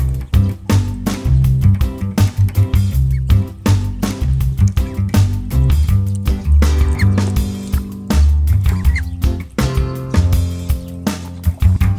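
Only music with a strong bass beat is heard, with no animal voices.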